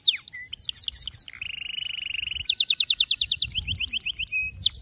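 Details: Canary singing as a model for young birds learning to sing: quick downslurred chirps, a long even mid-pitched rattle, then a run of sharp repeated notes and short trills.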